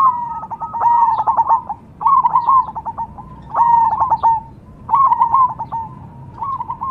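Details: Cemani zebra dove song: four rolling, stuttered coo phrases about a second long, each ending in a drawn-out note. They come roughly every 1.2 seconds against a quiet background.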